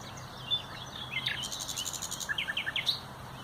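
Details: Common nightingale, 30 April 2021: a few high slurred notes lead into a fast, pulsing rattle of repeated notes, then several short, rising chirps; a low hum continues throughout.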